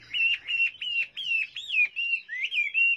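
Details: Chinese hwamei in full voice: a continuous chain of bright, wavering whistled phrases, bending up and down without pause.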